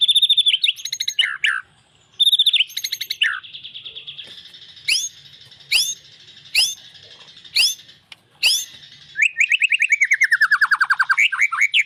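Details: White-rumped shama in a varied song: a high warbled phrase, a pause, then sharp rising whistled notes repeated about once a second, ending in a fast rattling trill that slides downward.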